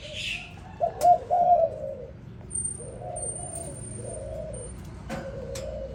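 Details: Morning spotted dove phrase of short notes and a longer coo, followed by softer, more distant coos, with a thin high whine and a few clicks.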